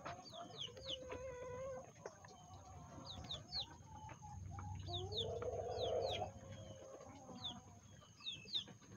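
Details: Lavender Self Blue Old English Game Bantam chickens out in the rain from Tropical Storm Beta on a flooded morning, giving soft repeated clucks and short harmonic calls, with high chirps from small birds scattered throughout and a steady background hiss.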